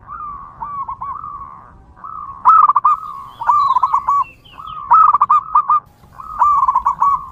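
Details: Zebra dove singing in the wild, a local bird used to attract other zebra doves: repeated phrases of fast, rippling staccato coos, each phrase about a second long, spaced by short gaps, with faint distant chirps behind.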